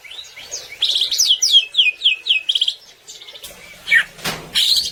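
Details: Gacor greater green leafbird song used to train other birds: soft notes rising into a rapid run of downslurred whistles, a short pause, then a descending slur, a sharp knock-like click and a few high chirps.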